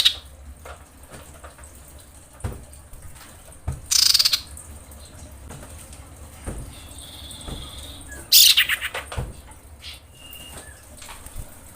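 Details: Female common iora in breeding condition calling for males: two loud dry buzzy rattles several seconds apart, separated by a faint high whistle and soft clicks against quiet background noise.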